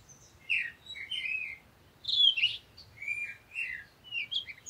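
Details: A parakeet gives a string of scratchy chirps and rising-falling slurred notes in several bursts over a steady low background hum.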